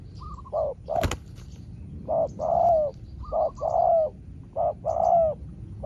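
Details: Spotted dove in a back-and-forth calling match with a rival wild dove: mellow coos in pairs, a short note then a longer drawn one, repeated. A loud click early on. Faint high chirps from other birds.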